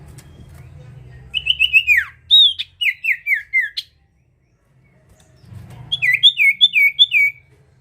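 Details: Sirtu bird in full song, used to lure other birds; a run of high chirps and falling whistled notes, a pause, then a second series of rapid repeated sweeping chirps over a low rumbling hum.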